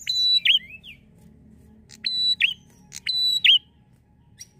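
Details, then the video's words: Bar-winged prinia singing in lively, drawn-out style as a lure for prinias: three quick phrases of a level piercing whistle closing with a hooked falling note, plus a short rising chirp after the first. "prenjak gacor ngalun mantap pancing burung prenjak"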